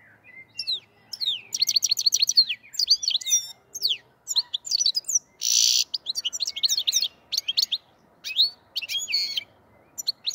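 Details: Black-headed goldfinch, a European goldfinch, from the Andijan, Kuva and Fergana area, singing a lively continuous song of rapid liquid twitters, trills and tinkling notes mixed with a harsh buzzy rasp, in dense phrases over about ten seconds.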